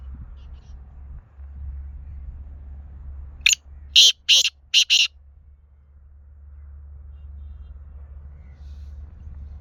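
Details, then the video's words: Black francolin giving a harsh, grating call: five loud rasping notes packed into about a second and a half, the last two close together, set against a quiet background with a faint low hum. "kala teetar ki awaz | black francolin voice"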